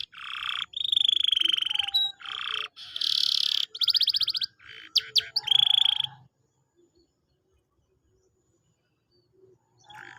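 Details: Canary song for stimulating a quiet bird to sing: long loud buzzy rolls and rattling trills in bursts for six seconds, a few sharp notes, then near silence with faint background hum.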